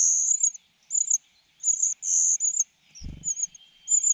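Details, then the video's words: While being fed, a cuckoo young keeps begging with piercing, high hissed bursts, some short and some drawn out, broken by a brief low thud. "The cuckoo is too greedy and still wants food in its mouth杜鹃鸟太贪心了，食物送到嘴里还想要，塞进喉咙里才下咽"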